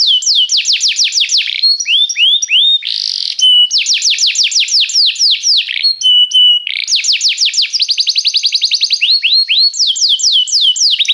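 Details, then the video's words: Canary singing restlessly, with rapid chains of downward-slurred whistles, short steady notes and a brief harsh burst, the phrases switching every second or two in a continuous high, bright flow. "o canário cantava inquieto"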